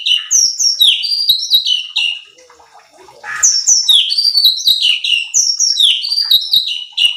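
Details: Bulbul known locally as cucak cungkok, singing as a training recording to excite other birds: bursts of fast descending whistles, roughly two per second, with a short pause between phrases.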